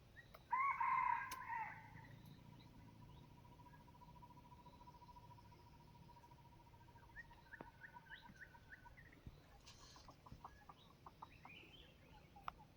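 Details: Hybrid junglefowl crowing: one loud, harsh, hoarse crow lasting about a second, followed by a long steady whistled tone, then scattered clicks and a few short chirps in the background.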